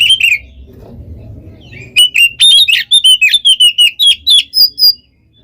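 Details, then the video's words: Oriental magpie-robin in nonstop competition-style song meant to provoke other birds: after a quiet low rumble, a fast run of loud whistled and rattling notes around two to four beats a second, bright and varied. "PANCINGAN KACER GACOR FULL ISIAN KONSLET! BIKIN BURUNG LAIN EMOSI"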